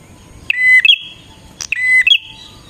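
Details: Two phrases of bar-winged prinia song intended to draw in wild prinias, each a clear flat whistle followed by a prolonged buzzy note, separated by a brief click.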